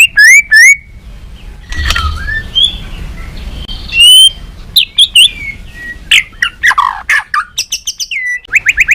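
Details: White-rumped shama of the balak 6 type, song played to lure birds for capture: mixed whistled phrases and harsh buzzes, ending in a rapid sequence of sharp, sweeping chirps.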